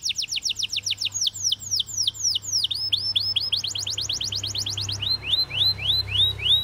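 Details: Canary singing a rapid series of loud, whistled notes that sweep downward, repeated several times per second, shifting between tours of slightly different pitch and speed, with a faint low hum beneath.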